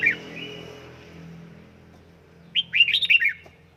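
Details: Caged red-whiskered bulbul being trained at home to sing in heated 'căng lửa' form; a short burst of quick, bright chirping notes near the end, over a steady low household hum.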